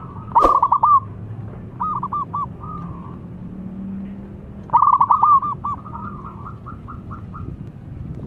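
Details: Zebra dove of a local strain calling eagerly while a rival answers: loud bursts of fast, pulsing coos followed by softer trailing phrases that taper into evenly spaced notes, low hum underneath.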